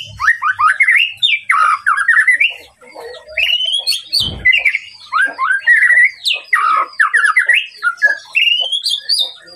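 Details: White-rumped shama singing to provoke a rival, a dense, energetic stream of rising whistles, rapid trills and sharp upslurred notes in near-continuous phrases, with one brief low thump.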